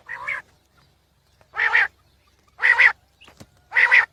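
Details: Quail (batair) calling: four harsh, buzzy, nasal notes, each about a third of a second, spaced roughly one second apart, with a faint sharp click between them and a quiet background.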